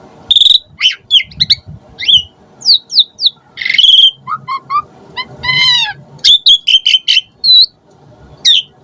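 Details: Energetic Asian pied starling singing, a lure track rich in filler variations: clear whistled notes mixed with sharp chips, buzzy bursts and a run of repeated looping phrases, over faint background rumble.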